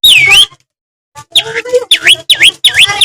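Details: Long-tailed shrike from Madura singing energetically to provoke other shrikes: loud looping whistled notes that swoop down and back up, repeated several times in quick succession, mixed with lower warbled phrases.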